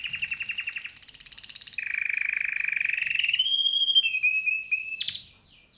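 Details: Song of a male canary: a long rapid rolling trill, first high, then lower and very steady, rising into thin whistled phrases and ending with a brief upward flourish before silence.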